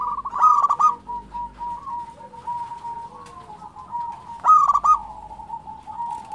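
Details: Singing local zebra dove repeating its phrase: a loud stuttered coo burst, a long quieter stretch of soft rolling notes and steady hum, then another loud clipped burst near the end.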